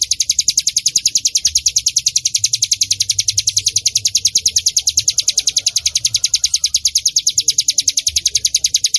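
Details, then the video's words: Bar-winged prinia, known locally as cigun or ciblek gunung, in a lure recording used to train or attract other birds: a very rapid, steady run of high, sharp chirps, about three or four per second, with faint low rumble beneath. "masteran burung cigun yang paling di cari buat pancingan cigun / ciblek gunung bunyi"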